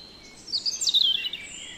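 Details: Song of a European robin recorded in the Netherlands: after a quiet pause, a burst of high, thin twittering with a sharp descending sweep, lasting under a second before fading back to soft background hiss.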